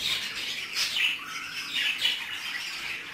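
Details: Mating budgerigars inside a cage: harsh, buzzy squawks and downslurred scratchy calls, roughly one each second, over continuous chatter.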